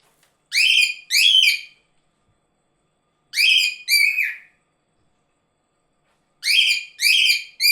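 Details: Cockatiel (Nymphicus hollandicus), call.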